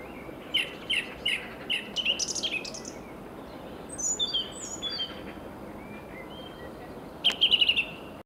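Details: Fieldfare singing in a local park on 21 March 2015, apparently trying to attract a mate: a scratchy, chattering song of quick bursts broken by thin squeaky whistles, over a faint rural hiss.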